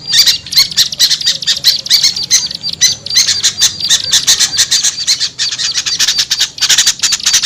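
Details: Small birds in a lure call for small birds that will not come down: dense, rasping, high chatter in uneven bursts, several voices overlapping, with brief quiet breaks.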